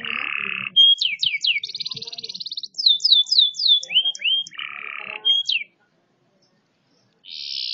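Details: Canary sings a varied sequence: a low rolling trill, a series of sharp downslurred whistles, a buzzy high trill, more sweeping whistles, another low roll, silence, then a fresh high trill.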